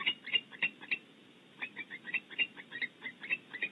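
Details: At a California nest cavity, a pair of barn owls call in defence: short, scratchy chirring notes repeated three to four per second in two bursts separated by a brief lull.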